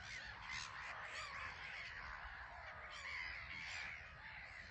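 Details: Many black-headed gulls calling from their small island colony at RSPB Frampton Marsh while flying in and out; shrill, grating squawks densely overlapping, with louder peaks around the middle and near the end.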